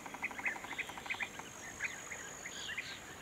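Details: Little ringed plover calling on 5 June 2021: short, sharp, slightly downslurred notes repeated at irregular intervals, some in quick pairs. A steady buzzy pulsed rattle runs underneath, and fainter chirps from other birds are heard.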